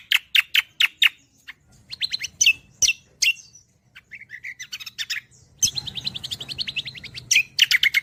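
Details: Green magpie (cucak kombo) song used as a master recording for songbirds: rapid staccato chirps, then a fast rattling trill of clipped notes and bursts of bright chirping, over a faint low hum.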